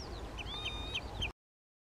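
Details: Common redshank, adult and juvenile, near Skoczów, Poland, 16 June 2021: three short sharp falling notes with a thin whistled tone in between, ending abruptly, over low rumble.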